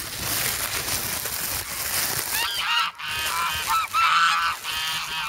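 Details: Snowbound geese in Amsterdam's Sloterpark, 3 February, now grown from goslings and begging noisily around a person carrying bread; after a rushing, noisy start, a few clear nasal honks ring out in the final seconds.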